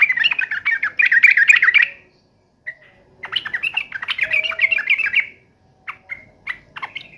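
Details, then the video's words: Agitated sooty-headed bulbul in fighting mode, two long bursts of harsh, rapid chattering, then several short separate call notes. "trucukan gacor FULL TARUNG NGAMUK"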